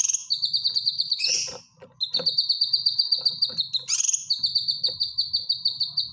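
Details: Caged cucak kinoy bulbul singing a training song: long trains of rapid, even, high whistled notes on a steady pitch, broken by sharp rising swoops and short chattering bursts.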